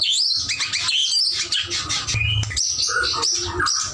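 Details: White-rumped shama singing actively (gacor): a brief, busy run of high chirps and whistles, short slurred notes tumbling together, with a pause and then more bright phrases; low background hum.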